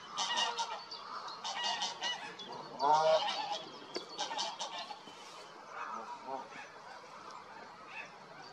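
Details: Common shelducks splashing at Lackford Lakes give harsh, goose-like honking and chattering calls in quick, uneven bursts, about one every second or so, with splashing water underneath.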